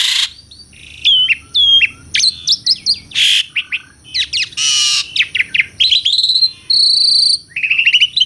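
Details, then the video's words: Asian pied starling delivering a loud, varied song mixing harsh noisy bursts, quick chirps, warbled whistles and a sustained high whistled note, almost without pause. "SUARA KICAUAN BURUNG JALAK - JALAK SUREN GACOR MERDU SEKALI..!!"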